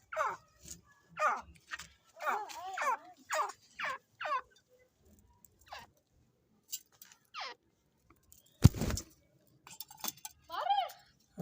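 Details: Grey francolin, a fighting bird, calling in loud harsh bursts of rising and falling notes, several in quick succession, then scattered quieter notes and one sharp thump.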